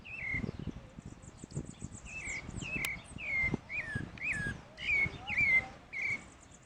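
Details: Wild pale-breasted thrush song, a steady string of short, sweet, downslurred whistles about twice per second, mixed with thin high twitters and soft background rustling.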